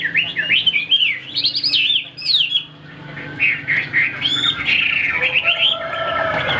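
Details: A caged Chinese hwamei sings loud looping whistled phrases, sweeping up and down, pauses briefly, then resumes with a varied, busier warble of overlapping slurred notes.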